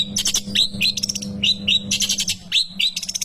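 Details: Long-tailed shrike singing in a training recording for young birds: short rising whistled notes alternate with dense buzzy, scratchy bursts in a fast, irregular run over a constant low hum.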